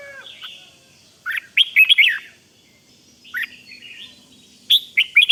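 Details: Red-whiskered bulbul in 'rik' song, for exciting other bulbuls; a burst of bright rolling whistles, a softer pause with a lone phrase, then another sharp cluster of notes.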